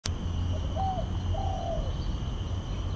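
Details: A spotted dove singing at the Botanic Gardens, Singapore, gives a soft, mellow coo followed by a longer, slurred coo that drops at the end, over a steady low background rumble.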